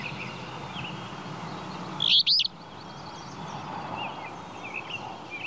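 A flycatcher gives one loud, sharp burst of two or three high chipping notes, with faint distant bird chirps over a steady background hiss.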